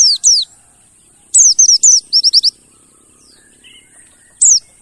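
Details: Mountain white-eye song used as a lure to get silent birds singing: loud, high, sharply descending chirps in quick bursts, a cluster of rapid repeated notes in the middle, with a faint steady high hiss throughout.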